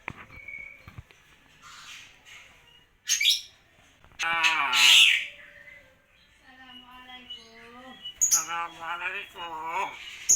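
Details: Common hill myna imitating the phrases Lailahaillallah, Assalamualaikum and Allahu akbar, producing loud breathy bursts and several chains of voice-like harmonic syllables separated by short silences.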